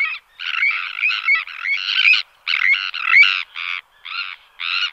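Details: Sandwich tern giving harsh calls during displays in flight and alarm calls in the colony: a rapid run of grating, rasping notes in dense bursts, some buzzy and drawn out, with brief gaps between groups.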